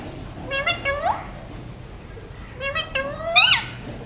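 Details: Alexandrine parakeet mutation talking while feeding on seeds: two pairs of rising nasal speech-like syllables separated by a pause, the last phrase ending in a sharper upward squeak.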